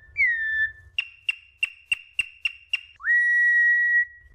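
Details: Campo troupial (Icterus jamacaii), a Brazilian endemic known for imitating other birds, sings clear whistles: a falling note, a quick run of repeated notes, then a long steady tone.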